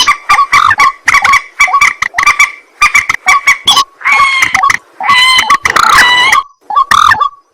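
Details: White-breasted waterhen at night: fast rasping 'ruak' notes in repeated bursts, later turning into longer, hoarse, honking calls before a final short grunt.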